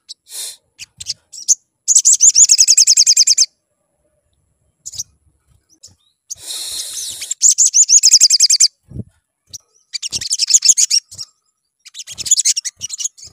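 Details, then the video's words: A sunbird, in a lure recording meant to make sunbirds sing, gives high, rapid trills of thin chattering notes in bursts of about one to two seconds, separated by short pauses and a few sharp ticks. "PANCINGAN MAUT SOGON BIKIN GACOR NGLEPER"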